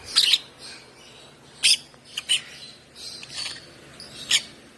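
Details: Shrill, rasping chirps from a hand-fed African lovebird chick aged one month arrive in irregular bursts, some single, some doubled, with softer chirps between the louder ones.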